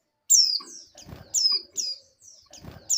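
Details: A breeding female oriental white-eye calls to attract a male: loud, thin, high notes slurring downward, about once per second, with low rustling and bumping noises between them.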